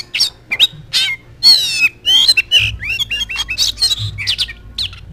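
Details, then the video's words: Oriental magpie-robin used as a master-song recording to prompt other magpie-robins to sing, pouring out a rapid, varied song of bright whistles, slurred notes and harsh scratchy phrases almost without pause. "KACER GACOR!!! JOS TEMPEL LANGSUNG NGOBRA"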